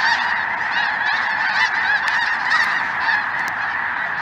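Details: Snow geese flying with greater white-fronted geese, maybe one or two Ross's geese, across a chilly southern Indiana afternoon sky, 23 January 2023; constant layered honking chorus, a few sharper high yelps standing out near the end.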